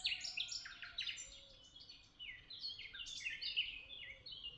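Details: Several birds chirping together in Tuzla: dense, overlapping high twitters and short descending notes, busiest at the start and again after three seconds, over a faint steady background hum.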